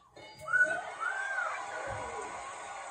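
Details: Pet blue-fronted amazon parrot rambling indoors: one drawn-out, harmonic, whistle-like call that rises and then slowly falls over about two seconds, with faint low background noise.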